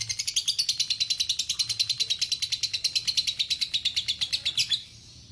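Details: Lovebird giving a long trill, known as ngekek panjang and used as master song for training: a high, even chatter of rapid pulses, steady in pitch for nearly five seconds, then stopping abruptly.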